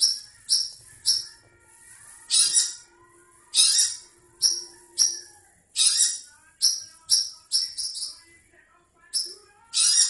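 A Long-tailed shrike gives harsh, scratchy high chatters in quick bursts, roughly one or two each second, over a faint thin whistling in the background.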